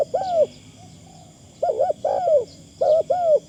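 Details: Decoy Spotted Dove calling in a thin, easy 'karom' style. Mellow hooting coos, a trembling double note followed by an extended falling note, repeat three times within a few seconds against a quiet, steady high hum.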